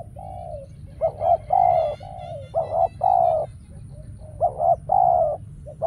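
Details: Caged decoy spotted dove calls during trapping, meant to attract wild doves. It repeats soft, low cooing phrases of clipped double notes and longer coos, while a faint thin higher call sounds once in the background.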